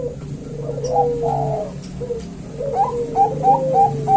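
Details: Two male zebra doves calling back and forth: soft trilling coos and short high notes, some sliding downward, over a steady low background hum.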